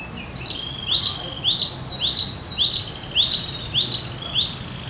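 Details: Gelatik batu gacor song: continuous, dense rhythmic sequence of upswept whistles in rapid two-note phrases, high-pitched and repeated almost twice per second throughout.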